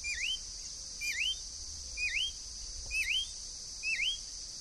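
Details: Wild Green-backed Becard (Pachyramphus viridis) giving a clear, upslurred whistled note about once a second, each dipping then rising; a steady high insect drone runs underneath.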